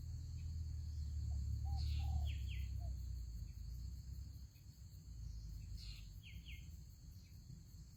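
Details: Spotted dove calling at a trap set with a ground decoy bird: a short run of low, mellow coos, with sharp high chirps from another bird and a steady low rumbling background.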